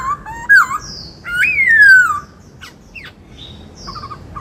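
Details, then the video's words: Kept white-cheeked laughingthrush singing 'bắt cô trói cột' style: a short wavering whistle, then a bright slurred note and a long falling whistle, followed by faint high squeaks and quiet pauses. "Chim Khướu bạc má hót giọng bắt cô trói cột nghe là mê - Tiếng Chim Khướu"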